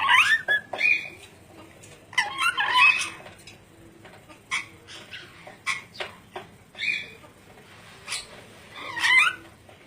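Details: Ornate lorikeet giving a series of harsh, raspy screeches in short irregular bursts, some with a shrill upper edge, separated by brief pauses over a faint background hum.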